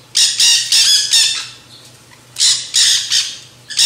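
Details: Nanday conures, also called black-hooded parakeets, feeding on seed mix at a backyard feeder; harsh, grating screeches in rapid bursts, two clusters of about four squawks separated by a quiet gap, a faint low hum underneath.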